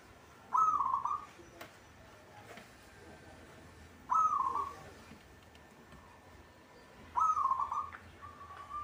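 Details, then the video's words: Local zebra dove, a cage bird said to sing frequently, utters three brief trilled coos roughly three seconds apart. A faint steady tone follows the last coo. "hitungan detik perkutut cepat bunyi atau gacor"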